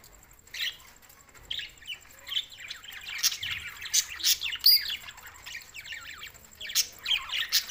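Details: Budgerigars on June 7, 2024, Larkana, Sindh: a quiet start, then lively warbled chatter of fast chirps, squeaks and scratchy bursts from more than one bird, against a faint constant high hum.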